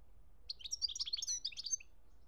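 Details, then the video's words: Singing goldfinch, Algeria 2017: a short, rapid jumble of bright twittering notes lasting just over a second. "chont chardonneret algerie 2017"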